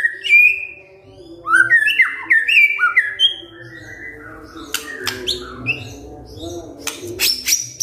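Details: To stir a silent shama into answering, a white-rumped shama sings kretekan fighter: bright, dropping whistles in quick succession, followed by dry clicks and scattered soft notes.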